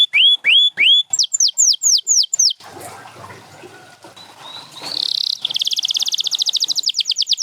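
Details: Caged canary singing, featured among champion Gloster and Spanish Timbrado canaries for training: loud rising whistled notes repeated in series, a brief breathy gap, then a fast buzzy trill of rapid repeated notes.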